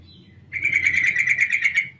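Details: One prolonged rattling trill from a female sooty-headed bulbul, used to lure males into singing, with a dozen or more quick notes steady in pitch for over a second and a low background hum.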